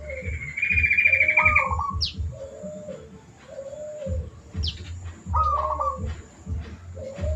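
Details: Zebra dove song for mastering other birds: quick sequences of trilled, rolling coos and soft low notes, with a buzzy higher trill and two sharp squeaks mixed in, over continuous low rhythmic pulses.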